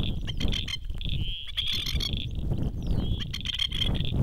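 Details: Masked lapwing parents stand on a dam shore calling to their three chicks on an island. They give rapid, harsh, rattling chatters of short repeated notes, with brief drawn-out ringing notes between them, over steady low wind rumble.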